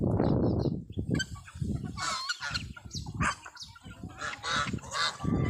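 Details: Geese with chicks, domestic flock; harsh honks with broad harmonic bands repeat irregularly through the clip over heavy low rumbling handling or wind noise.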